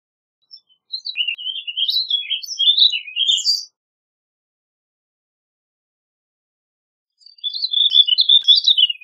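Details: Warbling vireo song: two rambling, hurried warbles of quick slurred notes, each lasting about three seconds and rising and falling in pitch, separated by a long silent pause; no other sounds.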